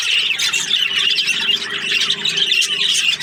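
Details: Constant high warbling chatter and sharp chirps from budgerigar breeding pairs, with a faint low hum beneath.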